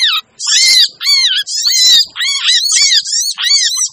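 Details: Crimson sunbird calls from a noisy lure recording meant to draw in wary sunbirds: shrill, scratchy chatter in back-to-back bursts with arched, slurred notes underneath, nearly continuous.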